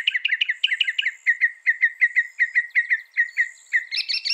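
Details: Northern mockingbird delivering rapid repeated chirps, then a steady series of clear downslurred notes, ending with a higher, harsher phrase; song is loud, fast and varied.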